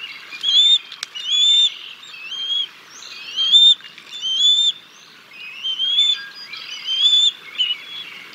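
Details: Bald eagle calls at the Decorah North nest on 6 May 2022, as the male feeds fish to the chicks before the female takes over. Repeated high, thin, squealing whistles, each slurring up then down, in clusters roughly every second, with faint background rustle.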